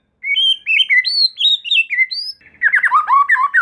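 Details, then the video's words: White-rumped shama lure song to stir other shamas into singing: a sequence of clear, bouncing whistled notes stepping up and down, then a denser, harsher warbling passage. "Suara Pancingan Murai Batu Agar Murai Batu Trotol Merespon Cepat Bunyi || Voice of Murai Batu"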